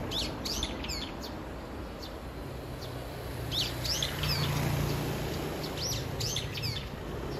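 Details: Brown-eared bulbul calling for its mate. Rapid, harsh, falling squeals repeat in clustered bursts across the clip over a low, even background rumble.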